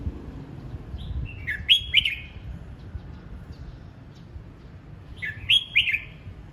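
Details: Red-whiskered bulbul practising its voice: two loud, rollicking whistled phrases about four seconds apart, each a quick run of slurred, warbling notes preceded by a soft lead-in whistle, with quiet low background hum.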